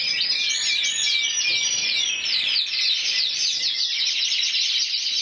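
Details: Intense yellow canary, 2014 Spanish champion scoring 94 points as an individual, singing a continuous, rapid run of bright warbled trills and rolling notes, high and dense, with no pauses and no other sounds.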